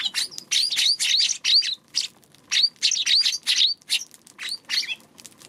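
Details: Rapid, near-continuous chattering of high chirps from a Eurasian tree sparrow on March 2, many notes ending in a sharp rising flick, packed closely with barely a pause.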